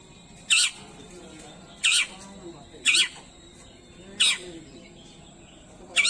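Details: Long-tailed shrike, unedited recording used to rouse silent or stressed shrikes: loud harsh rasping bursts repeated about every 1.3 seconds, with murmuring voices faintly behind.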